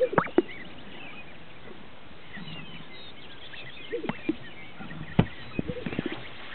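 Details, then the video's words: Greater sage-grouse display at a northern Utah lek with sparse sounds: a quick double pop at the start, a gulping blip near four seconds and a sharp snap after five, then quiet background. "Greater Sage-Grouse"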